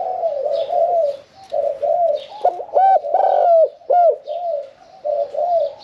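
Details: Caged spotted dove, kept one year four months, singing in the Thai 'khan yon 1 kuk' style with a medium-pitched voice. Its low, mellow coos come in rolling phrases, some with sharper hooked notes, and a faint higher twitter sounds behind.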